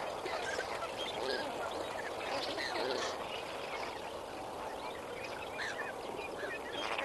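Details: Lesser flamingos at Kamfers Dam at sunrise on 18 May 2024, a flock gabbling in a steady dense chorus of short nasal honks, many overlapping callers with no clear rhythm over a constant wash of background murmur.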